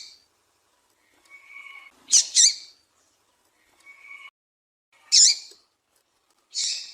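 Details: Call of a female double-collared seedeater, used to draw males: short harsh buzzy high notes in pairs and singles, alternating with fainter steady thin whistled tones, silent gaps of a second or more.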